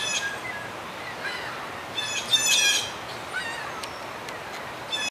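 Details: Blue jays hopping about and calling to one another at Dufferin Islands give harsh, nasal calls layered with bright overtones, the loudest burst near the middle and fainter calls scattered before and after.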